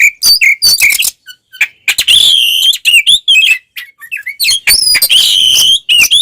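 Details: Fighting song of an oriental magpie-robin, meant to anger other birds: dense rich phrases of harsh notes, whistled slides and rapid chirps, loud and nearly continuous with brief gaps.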